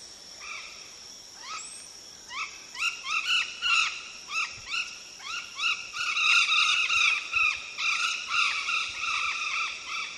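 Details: Ararajuba, the golden parakeet, a threatened yellow parrot: loud grating squawks, each a short downward-bending rasp, coming in quick irregular series and thickening into overlapping chatter in the second half.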